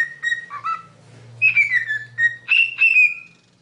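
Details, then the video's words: Parrot whistling a snatch of the Super Mario Bros. theme: pure, bright whistled notes, some sliding downward, in quick phrases over a faint low electrical hum. "Cute Parrot sings Super Mario Bros."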